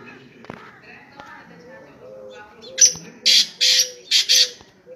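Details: Black francolin, called kala teetar, in Pakistan, giving a sharp note followed by a rhythmic run of four loud, harsh, rasping bursts, while soft low tones hum in the background.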